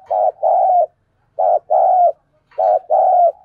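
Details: Spotted dove decoy giving the urging call meant to provoke other doves: three evenly spaced pairs of low coos, a short note and then a longer, slightly falling one, with clean silence between them.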